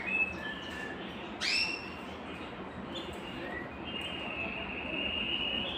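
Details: Belgian canary singing to bring females into breeding condition and spur singing: short whistled notes, a sudden upward sweeping flourish, then a long steady high roll, with background hiss.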